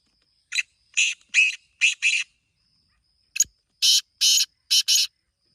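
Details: Harsh, scratchy calls of a Black francolin: one phrase of about five grating notes, a brief gap, then another burst of five rasping notes, a faint high insect-like tone running underneath.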